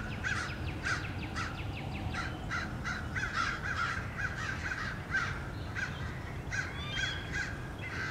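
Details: Lots of crows attacking a male bald eagle near its nest on 30 March 2016, the eagle trying to hide and fend them off: dense, overlapping harsh caws throughout, rapid and irregular, above low constant noise.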